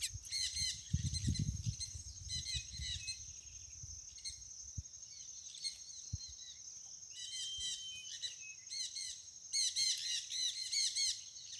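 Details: Chestnut-bellied seed finch of a white mutation in full song, giving repeated bursts of rapid, bubbling warbled phrases with a brief level whistle between them; a steady high whine runs throughout and a low rumble sounds early on.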